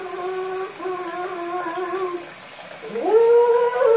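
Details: A pet Harlequin macaw singing in the shower gives drawn-out, wavering tonal notes, then a rising whoop, over steady running water.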